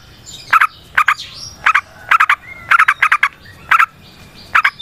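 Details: Yellow-vented bulbul in lively 'ropel panjang' song, used to provoke other bulbuls to sing: clipped, throaty notes in tight pairs and triplets repeated roughly every half to one second, over a quiet background with faint thin whistles.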